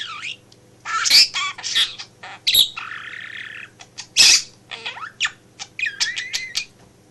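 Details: Pet male budgerigar in a home office, chattering while its owner works; loud squawks, a buzzy drawn-out note and rising whistles in a lively stream, with a low electrical hum.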